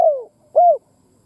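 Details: Decoy spotted dove cooing to stimulate other doves to coo: two low, hollow coos, the first sliding downward and the second arching up then down, separated by a short silence.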